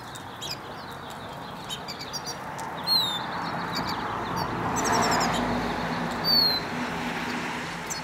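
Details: A Lesser Goldfinch singing in the Southwest gives a jumble of high twittering chips and thin, plaintive down-slurred whistles over a steady rushing background hiss.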